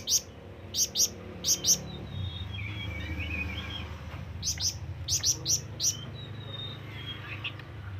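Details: Flamboyan bird summoning companions or rivals with scattered short groups of shrill, high chirps, two or three quick notes at a time, amid quieter gaps holding faint background whistles.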